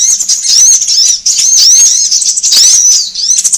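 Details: High sunbird chirping used as a bird-attracting lure: rapid arched whistled notes tumbling over each other in a continuous loud stream, with brief dips about once a second and a faint low hum beneath.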